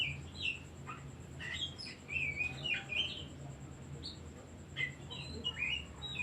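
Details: Oriental magpie-robin in song, used to provoke other birds: dense, varied whistled phrases with bright upslurs and clicks, nearly continuous for several seconds, then sparser notes over a humming background.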